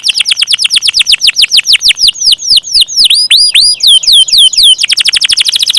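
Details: Canary with repeated loud downward-curving whistles, slowing then quickening, finishing in a dense rapid rolling trill.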